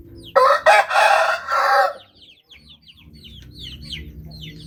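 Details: A Bangkok rooster gives a loud, rasping crow in four strong bursts lasting under two seconds. Quick, high, down-slurred chirps from small birds or chicks follow and continue to the end.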